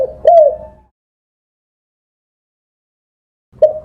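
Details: A spotted dove gives soft, low, mellow coos; one hollow note swells and slightly falls, the next beginning after about three seconds of silence.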